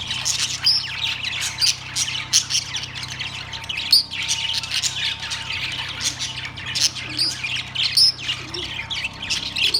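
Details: Budgerigars in a cage, Australian parrots, September 3, 2023, chirping and singing as a group: dense, continuous high-pitched chatter of rapid squeaky notes and sharper squawks, with steady low background hum.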